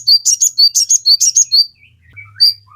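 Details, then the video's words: Sogon song used to get captive birds singing: a quick series of sharp, high chirped notes with buzzy accents, then a few soft lower slurred notes and a faint low hum. "Pancingan sogon gacor full ngoceh, Masteran burung sogon agar cepat ngalas langsung gacor nyamber"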